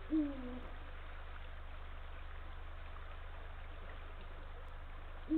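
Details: A male Eurasian eagle-owl on a nest branch on Estonia's northern coast, calling to his mate at 05:32 on 17 March 2023, gives a deep, slightly falling hoot, then another about five seconds later, over a low hum and faint trickling water.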